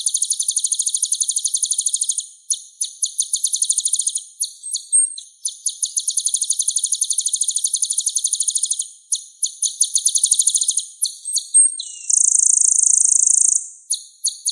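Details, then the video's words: Sunbird song used as a training recording to spur caged songbirds into singing: long runs of rapid, thin, high twittering notes in dense bursts separated by brief pauses, with a short hissing buzz near the end. "MASTERAN SPESIAL KOLIBRI GACOR"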